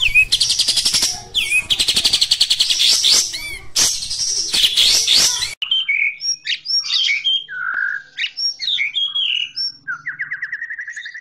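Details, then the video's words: Caged Oriental white-eye (kapas tembak) in rough gacor song. Loud, packed high chatter and fast trills open the recording, then give way to sparser scattered chirps and a quick rising trill series. "Suara Burung Kapas Tembak Kasar Gacor"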